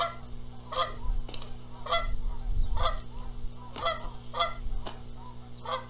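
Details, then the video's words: Canada geese squabbling over who sits on the eggs at a nest at Rogers Place, Charlo, Montana, April 14, 2022: loud, harmonic nasal honks repeated about every half second, some in quick pairs, over a steady low hum. ""MY eggs!" "NO! MY eggs!" Canada Goose"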